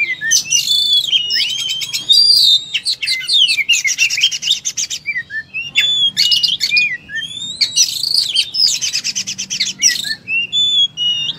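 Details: Oriental magpie-robin (kacer) singing in full 'tarung' fighting mode, pouring out its repertoire ('muntah materi'): rapid varied whistles, sliding notes and dense buzzy rattles in bursts separated by short pauses, with a steady low hum behind.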